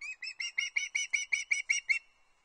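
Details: Osprey chick calling for fish at the Loch Arkaig nest, 31 August 2022; about ten loud, clipped whistled notes in quick succession over two seconds, then silence.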